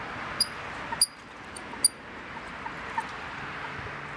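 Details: A Eurasian coot at Duingt beach, Lake Annecy, Haute-Savoie, French Alps, gives three short, sharp, high-pitched pips about half a second apart over a steady rushing background hiss.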